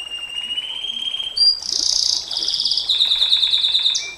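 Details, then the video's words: Long 'nembak panjang' canary song, used to tutor and provoke other canaries, opening with a steady held whistle, then a loud buzzy roll and a rapid pulsing trill that ends in a falling note. "Suara KENARI NEMBAK PANJANG, Untuk Masteran Dan Pancingan KENARI SANG JUARA, Canary Sound"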